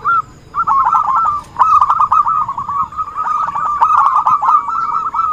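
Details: Zebra dove lure call used for trapping birds: a steady run of quick, rolling, gurgling coo notes at one mid pitch, almost unbroken after a short opening phrase, with a faint thin high tone held in the background.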